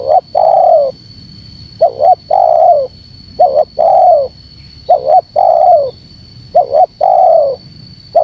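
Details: Luring call of a spotted dove meant to gather birds: about six repeated phrases, a quick paired note then a long sloping coo, roughly every one and a half seconds. A steady faint whine sits in the background.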